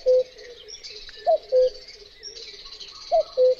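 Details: Common cuckoo (Cuculus canorus) singing its two-note cu-coo, a higher falling note then a lower steady one. Two full calls about 1.8 seconds apart follow the end of an earlier call, over constant high-pitched chirping and buzzing in the background.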